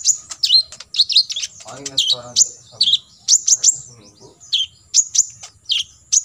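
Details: Olive-backed sunbird in full 'tembakan isian' song used as tutor material for competition birds: rapid high sharp chirps and down-slurred notes in quick bursts, with a brief low harmonic buzz near two seconds and a steady thin high whine behind.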